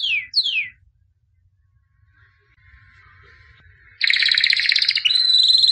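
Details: White albino canary, said to be a 2017 champion, singing: two quick downward-sliding whistled notes, a faint pause, then a loud buzzy trill from four seconds on.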